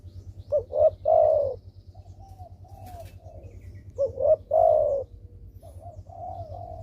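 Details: Actively calling spotted dove, played to coax quiet doves into calling: two phrases of two short coos and one long falling coo, about three and a half seconds apart. Soft whistled notes and a low hum sound between them.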